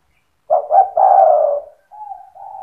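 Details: Cetretan-style song of a spotted dove meant to make other doves sing along: two short clipped notes leading into a long, hoarse, descending coo, followed by softer, level, humming coo notes.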